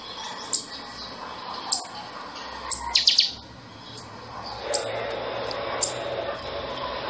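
Buffy-fronted Seedeater giving sharp, high chirps spaced about a second apart, with a quick ringing burst in the middle, over a steady background hiss.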